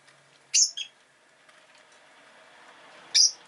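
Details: Rosy-faced lovebird chirping: a piercing high note quickly followed by a shorter second one, a quiet pause, then another shrill chirp, over a faint steady background.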